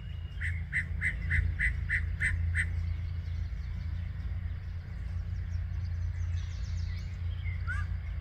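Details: Yellow-breasted chat singing in Osborn Metropark, Huron, Ohio, May 23, 2023, mid-morning: eight hard, evenly spaced chuck notes in about two seconds, followed by faint scattered notes and a steady low background rumble.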